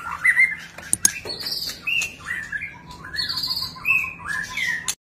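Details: White-rumped shama display song, a varied mix of short whistles, warbles and buzzy high notes in separated phrases, with a couple of sharp clicks early on.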